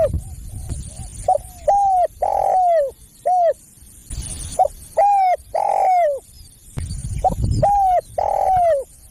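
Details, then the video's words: Spotted dove calling to lure other doves: repeated phrases of soft, hollow coos, short notes building to a long drawn-out falling coo, heard three times with hissy noise between phrases. "SUARA PEMANGGIL BURUNG TEKUKUR"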